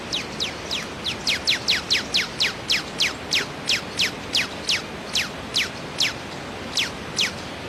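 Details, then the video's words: A hummingbird sings thin, high, sharply falling squeaky notes, about three per second in a steady run, over a soft hiss of background noise. "hummingbird singing"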